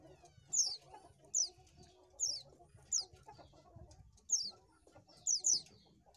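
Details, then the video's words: Oriental white-eye, recorded for luring birds, giving sharp high downslurred notes at irregular intervals of roughly a second, with a soft low murmur of clucking beneath. "SUARA BURUNG PLECI AMPUH !!!"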